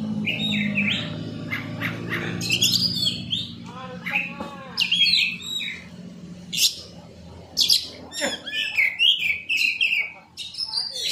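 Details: Oriental magpie-robin song meant as a lure to make other magpie-robins answer quickly: varied bursts of sharp chirps, quick whistles and buzzy notes in irregular clusters, with a low hum and some faint voice-like sounds early on.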